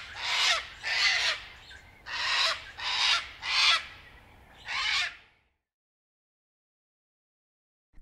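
A cockatoo gives six harsh, raspy screeches in quick succession over about five seconds, then falls silent.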